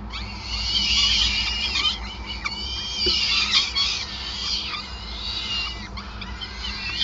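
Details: Peregrine falcons at the nest, Groningen, 5 May 2020, during feeding: loud high-pitched squealing calls in surging waves, with sharp downward slurs and short chips, a low background hum throughout.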